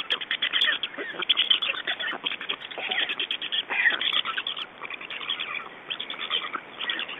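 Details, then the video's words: Black stork chicks in Estonia at the nest during an evening feeding and parent change on 2 June 2012, 21:54; dense, scratchy, rapidly repeated begging notes overlap continuously in a noisy chorus. "Estonian Black Storks - Change and feeding"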